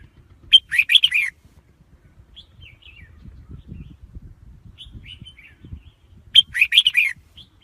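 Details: Red-whiskered bulbul singing the same quick, bright warbled phrase twice, roughly six seconds apart, with softer twittering whistles between them and mild low background noise.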